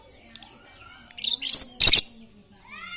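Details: Very talkative lovebird chatter used as a lure to get quiet lovebirds singing as fighters: faint thin chirps, then a rapid run of harsh, buzzy, high-pitched shrieks and screeches, ending with a few softer whistled notes.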